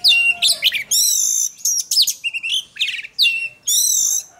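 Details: Oriental magpie-robin song for singing-contest training, with long clear whistled notes, some steady and some rising, alternating with quick chattering, buzzy phrases in bursts separated by short pauses.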